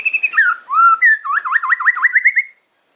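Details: Fighting song of a white-rumped shama in the crackling 'kretekan' style: a few sharp chips, a slurred whistle, then a fast rising series of repeated looping whistled notes ending abruptly in silence.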